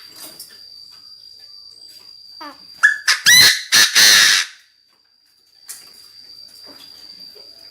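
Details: Chinese francolin decoy bird crowing hard to call its flock: faint scattered notes lead into a loud, rough run of four or five harsh, clipped syllables about halfway through, then quiet. A constant high-pitched electronic tone sits underneath.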